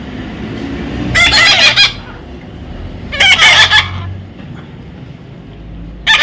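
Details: Baby parrot squawking twice, raspy pulsed bursts about two seconds apart, then the start of a third, over low background noise and music.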